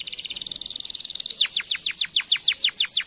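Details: Canary song meant to stimulate canaries to sing: a steady high whistled tone, then a fast series of sharply descending sweeping notes repeated about four times a second.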